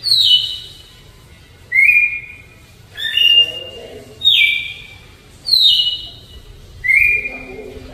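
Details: Whistled flute-style song of a Red-cowled Cardinal, slow Alagoas variety: six clean phrases alternating high descending slurs and lower level tones, evenly spaced about every one and a quarter seconds, faint noise between.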